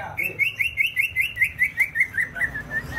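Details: [7, 'Greater green leafbird from Banyuwangi, East Java, singing hard: an even chain of clear whistled notes at a steady pitch, about five per second, slowly trailing off.']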